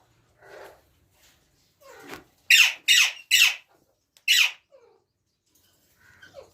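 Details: Ringneck parrot indoors uttering a run of three rapid harsh screeches, about one every half second, followed by a fourth after a pause, with softer lower chattering notes before and after.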